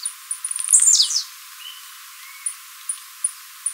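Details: Blue-black grassquit, a Brazilian bird, singing for song training, recorded live: a few short high ticks, then a loud buzzy descending burst, followed by scattered thin high clicks every half second.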